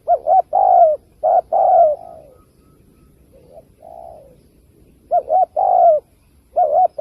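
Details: Spotted dove calling for use as a trap lure, loud double coos and long descending coos, with a softer, more distant dove answering in the pause midway before the loud calling resumes.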